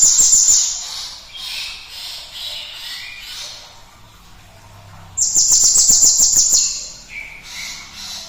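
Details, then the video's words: Cinereous tit, used as a lure to stimulate other birds to sing: two bursts of rapid, very high, sharp notes in a fast even trill, about three or four per second. Softer lower warbling notes from other birds fill the pause between bursts. "PANCINGAN TER-SUPER GLATIK BATU GACORNYA ISTIMEWA"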